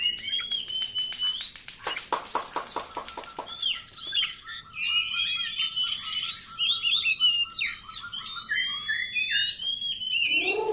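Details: Oriental magpie-robin song for luring other magpie-robins: a repeated whistle, then a fast series of buzzy pulses, a long steady low whistle, and lively varied warbling to the end.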